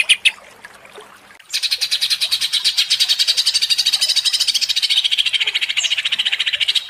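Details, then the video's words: Agitated greater green leafbird after two brief sharp notes and a short pause, breaking into a fast, dense stream of harsh, buzzy high chattering that runs on steadily to the end. "Pancingan Cucak Ijo menjadi emosi & gacor ngentrok"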